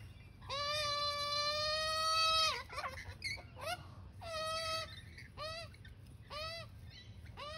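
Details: Young magpie begging while a parent feeds it: a long, drawn-out nasal wail of about two seconds, then a run of shorter, rasping, rich-toned cries, each bending down at its end, repeated roughly once a second.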